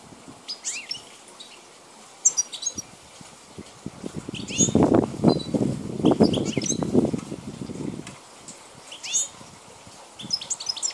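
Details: Wild European goldfinch of the Balkan form, recorded in 2010, singing high, rapid twittering and liquid trills in scattered bursts, mixed with loud low rustling and fluttering noises in the middle.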